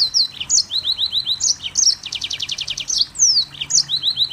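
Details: Mozambique canary delivering a tight, continuous song of high chirps and downslurred whistles, broken by a fast rattling trill of about ten repeated notes in the middle.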